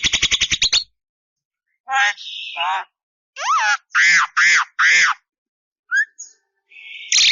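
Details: Javan myna in varied song: a quick rattle, then nasal wavering phrases, a rising whistle, three loud mewing notes in a row, and a flat buzzy tone at the end.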